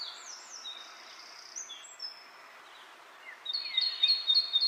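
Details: Bird chirping amid wind in the leaves: a few faint high slurred notes, a quiet gap with rustling, then a loud rapid trill of sharp repeated chirps near the end.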